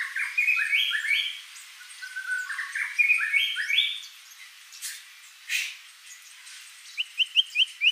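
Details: White-rumped shama in active song full of varied phrases: stepped clear whistles rising and falling in quick groups, a pause with a couple of sharp clicks, then a short series of rapid repeated notes.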